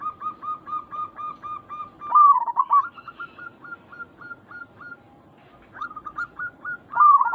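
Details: Lure cooing of local zebra doves meant to trigger replies: regular chains of short clipped coos, broken by three loud bubbling, wavering phrases, with a quiet pause midway.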